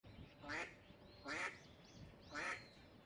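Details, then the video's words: Eastern spot-billed duck giving three loud, harsh quacks about one second apart, each a nasal burst with rich harmonics, over low background rumble. "목청 좋은 목소리의 주인공은?? #흰뺨검둥오리"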